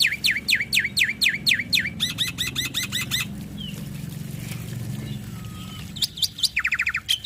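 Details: Male black-winged starling singing a full, varied song to prompt other starlings to sing: a run of swooping V-shaped notes, then rapid looping chirps, a pause, and a closing buzzy trill over a low background hum.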